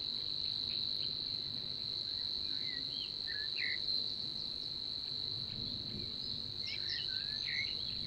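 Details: A Savi's warbler in Niepołomice Forest, Poland, in June 2020 gives a steady, unbroken, fairly low, insect-like buzzing reel throughout, while other small birds add brief chirps.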